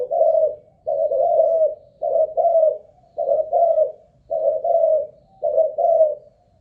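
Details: Decoy spotted dove on a stamina test, cooing without a break: soft, hollow two-note coos repeated in a regular rhythm, roughly one phrase per second, with faint low room hum.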